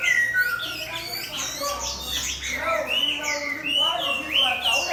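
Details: Chinese hwamei set beside a fighting bird for a contest, singing rich, varied whistled phrases with quick up-and-down slurs and overlapping notes from more than one bird, over a low steady hum.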